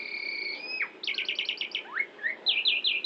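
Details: Central Javanese Asian pied myna in active song full of mimicked fills copied from shama, orange-headed thrush, canary, prinia and Bali myna; long steady whistles, a quick run of repeated chirps, downward slurs, then a trill of bright notes.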